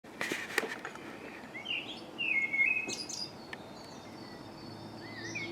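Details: Dawn chorus recorded in March in MK on a Canon Legria camcorder: scattered high chirps and a short warbled phrase from several birds, with faint background hiss and a few clicks.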